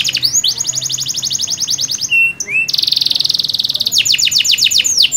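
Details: Canary song played to stimulate a canary that will not sing: loud, high rapid trills of repeated notes, interrupted by a brief gap and rising whistle near two seconds, then fast rolling trills and buzzy rattles.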